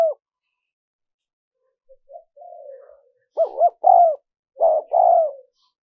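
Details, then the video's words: Spotted dove recording used for luring wild doves: soft, broken cooing fragments at first, then two clear double coos, each a quick note followed by a longer, slightly falling one. "Tiếng chim cu gáy mp3 dùng kích bổi hiệu quả nhất"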